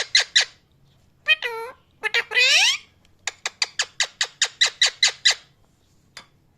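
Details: Loud parrot chirping: a few harsh squawks and a rising nasal call, then a steady series of about a dozen sharp, even chirps, roughly four per second, in a quiet room.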